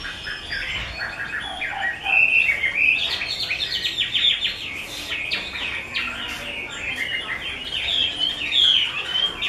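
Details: Chinese hwamei of the 'mơ' type, kept by a bird artisan, singing a dense, varied run of loud whistled and slurred notes that rise and fall quickly, with brief bright trills near the end.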